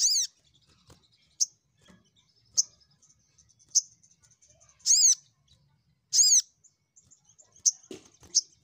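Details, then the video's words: Lively crimson sunbird song meant to provoke rivals: short sharp chips every second or so, broken by longer arched, ringing notes, all high and thin. "Pancingan SogokOntong Gacor N3mbak Memanggil Lawan"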